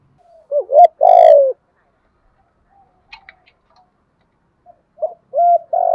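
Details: Spotted dove luring call in the 'thổ sấm' voice style: a short coo leading into a long, rough, throaty note, a quiet pause with faint clicks, then a fresh run of short coos ending in a sustained hoarse note.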